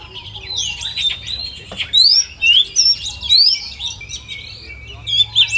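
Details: Oriental magpie-robin (kacer) competition-simulation song: a sustained whistled tone, then bright rising whistle sweeps in a loose series alongside buzzy trills and soft chirps.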